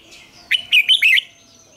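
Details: Red-whiskered bulbul morning song used as a training lure: a single clear phrase of four fast, whistled, warbling notes with a sharp upward start, in the wild double-note style.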